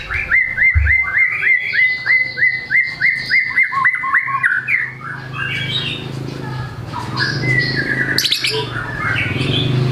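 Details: Lively white-rumped shama singing repertoire material: a fast, regular series of short hooked whistles, about three per second, then looser scattered chirps and squawky notes over a low hum.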